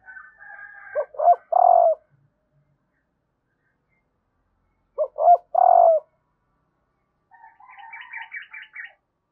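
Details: Female spotted dove calling to arouse males, repeating a crisp three-note coo twice about four seconds apart, with a softer rattling, pulsed sound at the start and at the end.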